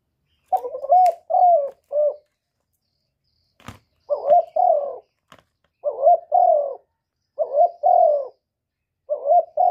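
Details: Spotted dove giving single-ending (một hậu) coos: a mellow two- or three-note phrase repeated roughly every two seconds, each ending in a drawn-out falling coo, with a few faint clicks and taps between phrases.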